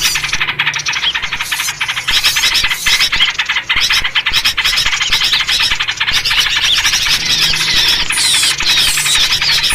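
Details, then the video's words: Lure recording of yellow-vented bulbuls for bird trapping, nearly ten seconds of busy, chattering squeaks and chirps crowding together in quick pulses, steady and loud throughout with no real pause. "SUARA BURUNG RIBUT COCOK BUAT PIKAT || VERSI SUARA TRUCUK"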